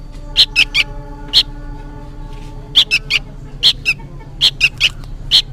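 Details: Fledgling sooty-headed bulbul, noisy as though calling its parent: bursts of two or three harsh, buzzy chirps separated by brief pauses, with steady faint low humming tones underneath.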